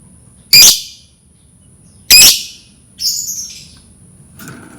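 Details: Lovebird chirps to prompt lovebirds to sing: two sharp, shrill squawks about one and a half seconds apart, then a softer, thinner buzzy chirp and a brief click, with a faint steady high hum.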